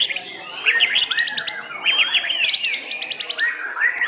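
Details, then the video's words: White-rumped shama singing at an Indonesian bird singing contest, the first-place bird of its class in session 7; varied whistled phrases with sweeping slurs and bursts of rapid, evenly spaced high notes, closely overlapping. "SESI 7 JUARA 1 KELAS MURAI BATU"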